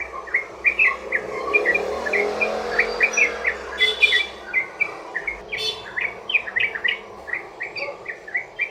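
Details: Sooty-headed bulbul singing a long rolling song used to coax other bulbuls into song: lively series of short warbled chirps, a couple of louder rasping bursts midway, then evenly spaced notes to the end.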